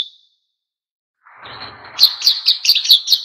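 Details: Wild-style oriental white-eye song meant to get other birds singing: a soft noisy rustle gives way to a fast, even run of sharp, high chirps repeated about five times a second.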